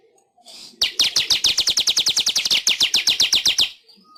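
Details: Weaver master song for training pet birds: after a faint lead-in, a rapid three-second train of about twenty-five sharp, buzzy high notes, steadily repeated, then fading off.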